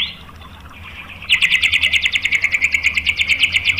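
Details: White-rumped shama lure song meant to provoke other shamas: after a soft high note, a loud fast even trill of short metallic notes continues steadily to the end.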